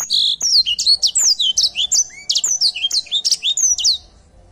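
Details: Edel sanger canary in busy, continuous song: quick, high, sweeping whistles and crisp chirps tumbling out several per second, with a lower slurred note midway and a soft tail-off at the close.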